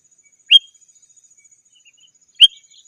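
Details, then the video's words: Sooty-headed bulbul calling to challenge rivals, a recording meant to lure wild birds in the forest and to tutor kept birds at home. Two short, bright chirped notes come about two seconds apart over a faint steady high whine. "Suara Burung KUTILANG GACOR 100% Ampun Untuk Suara Panggilan dan Masteran"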